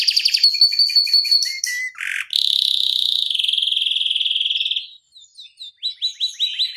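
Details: Canary singing a long rolling song for other canaries to learn: quick trills and a whistled tone, a buzzy sustained roll, then spaced sweeping notes.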